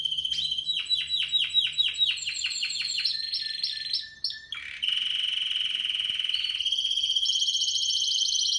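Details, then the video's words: Spanish Timbrado canary song from 2017 stock: a string of rapid descending notes, then clipped chirps, a short dip, and long even rolling trills that step to a higher pitch near the end. "Timbrado español original 2017"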